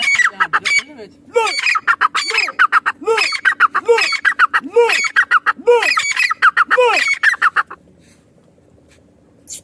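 A female partridge gives loud, harsh, arched call notes in quick bursts, about one per second, for eight seconds before falling silent.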